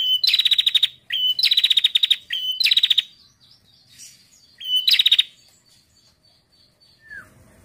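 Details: Female prinia calling to lure male prinias into singing: four bursts of rapid, dry ticking notes at high pitch, each opened by a short sliding note, with gaps between bursts and a faint downslurred whistle near the end.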